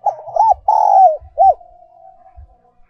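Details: Close, loud spotted dove decoy song in the 'còi' voice, also known as 'kim' voice. A rapid phrase of two arched coos, a long drawn note, and a final hooked coo trails into a faint lingering tone. Occasional low knocks sound.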